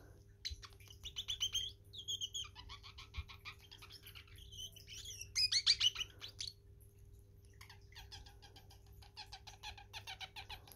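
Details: A male parrotlet dances while singing, chattering in quick bursts of high, scratchy chirps and twitters with brief pauses between phrases, over a faint steady electrical hum.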